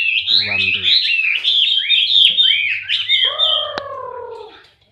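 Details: Male Chinese hwamei pouring out rapid, rich whistled notes. A lower harmonic sound enters briefly near the start, and a long drawn-out descending note near the end fades gradually into quiet.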